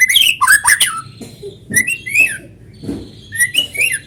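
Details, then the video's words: White-rumped shama song used as a lure to get other shamas singing, natural sound: loud harsh scratchy notes, then rising whistled slurs and short upswept phrases separated by brief pauses. "PANCINGAN BURUNG MURAI GACOR SUARA ALAMI BIKIN MURAI BATU IKUT BUNYI"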